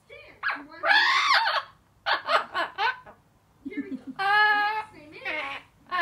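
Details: Chatty female Blue-fronted amazon, age four, excited to come out, giving laugh-like bursts and speech-like chatter inside a small room.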